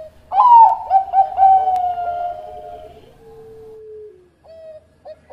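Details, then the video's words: A Bangkok-type zebra dove sings close and loud as a master for training doves: bursts of fluttering high coos glide down into a long, steady, falling low note, then brief clipped notes after a pause. "Perkutut Bangkok Gacor Buat Masteran"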